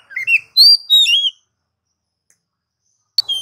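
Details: Oriental magpie-robin singing a brief, rich phrase of slurred whistles and chirps rising and falling, about one second long, followed by silence and a short clipped note at the end.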